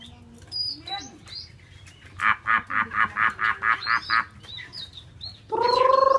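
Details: Chinese hwamei kept caged in Hanoi, Vietnam, shown swaying and nodding: scattered thin whistles lead into eight quick, harsh, evenly spaced notes, followed by softer chirps and a loud, steady, buzzy harmonic tone at the end.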